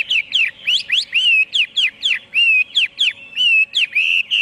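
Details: Loud, continuous Chinese hwamei song: strongly slurred whistles sweeping up and down, delivered in quick succession with occasional longer level whistled notes, rhythm lively and irregular.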